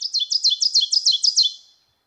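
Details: Male Ovenbird song, the teacher-teacher-teacher pattern: rapid two-syllable phrases of high descending notes repeated about eight times, played at a warbler identification workshop on Kentucky birds, fading at the end.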